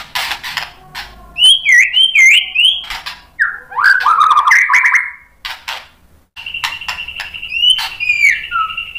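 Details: White-rumped shama singing to rile other shamas: looping whistled phrases and a rapid buzzy trill, sharp clicks, a short pause, then a long steady high whistle with overlapping slurs.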